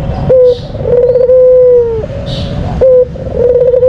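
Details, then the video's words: Lure call of a white dove: brief coo notes, each followed by a long, even, sustained coo that slightly drops at its end, repeated in a regular pattern over low rumbling background. "Puter Putih Full Gacor, Suara Terampuh Paling Dicari"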